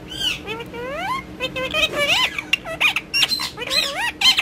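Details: Pet rose-ringed parakeet talking in Urdu and Hindi while playing with a mobile phone: a run of rising, bending harmonic syllables in quick succession, interspersed with sharp squawky notes, indoors.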